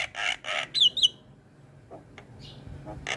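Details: Javan myna singing vigorously while nodding, used as a tutor recording for other mynas: a few harsh broadband rasps and two sharp rising whistles, then quieter scattered clicks and a final rasp.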